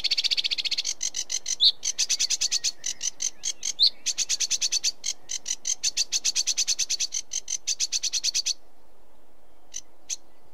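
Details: Sedge warbler delivering a sustained stream of fast, dry, repeated chattering notes with a couple of sharp rising squeaks mixed in, stopping abruptly, followed by near silence and two faint clicks.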